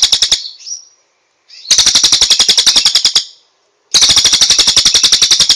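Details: Loud machine-gun-like rattling trills from a cililin, three long bursts of rapid sharp repeated notes separated by short quiet gaps with a thin slurred whistle.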